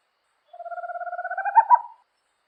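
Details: Owl giving a rapid, low purring trill of about sixteen even pulses lasting roughly a second and a half, swelling toward the end with two louder, slightly higher notes; clean background with no other sounds.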